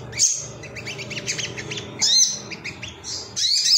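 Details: Thin high chirps and quick twittering phrases from a male Ruby-cheeked sunbird (sogon), excited and seeking rivals, arrive in three short bursts separated by brief gaps over a soft low background hum.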